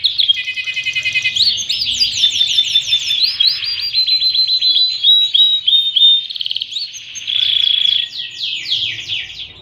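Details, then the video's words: Panda canary singing an elaborate tutor song meant to teach young canaries and prompt silent ones; rapid trills, sweeping descending whistles, sustained pure tones and repeated chip series in continuous flow. "Masteran Kenari Paud dan Pancingan Kenari Malas Bunyi || Kenari Panda Cengkok Super Mevvah"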